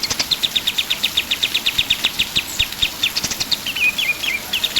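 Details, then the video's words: Pied triller singing vigorously: long run of rapid, evenly spaced high chips, about four per second, then a few quick downward-slurred whistled notes near the end, over a faint steady hiss. "KAPAS TEMBAK GACOR"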